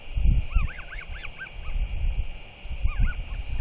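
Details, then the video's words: Royal albatross chick, 121 days old, on 21 May 2023, begs with quick runs of nasal, honking notes that rise and fall at a neighbouring adult resting by his nest, who answers with warning clacks; heavy wind rumble. "Royal Albatross ~ SP Shows Off His Wings! Begs Parent LKL But Gets A Clack Instead"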